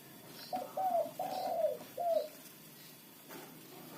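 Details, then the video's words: Local zebra dove singing as a lure for trapping wild birds: three soft cooing phrases, each a short note then a warbling coo that slides downward, over a steady background hiss. "perkutut lokal gacor pancingan ampuh suara keras kecil cocok untuk pikat lawan"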